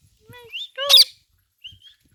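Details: Talking Indian green parrot at home with its owner: a short tonal note, then a loud, harsh squawk, then a faint thin whistle after a pause.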